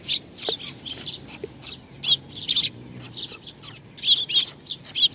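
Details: Sparrows visiting to be fed at Tenmangu shrine, Nakanoshima, 21 June 2020; lively run of sharp high chirps, several per second in places, over low rumbling background.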